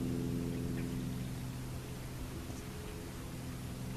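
Steady hiss like light rain, over a constant low electrical hum.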